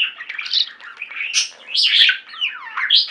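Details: Pet budgies in a flock singing and chirping: rapid buzzy warble with a loud bright whistled chirp and a downward-sliding whistle near the end.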